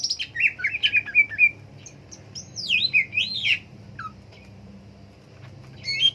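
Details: Varied chattering song of a green leafbird (cucak ijo): jumbled twittering and warbled whistles rising and falling, a pause, then a looping whistled phrase and a few chips.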